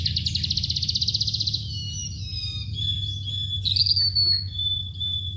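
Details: Oriental skylark delivering a fast high trill, then thin drawn-out whistles and sliding notes, with a low hum in the background.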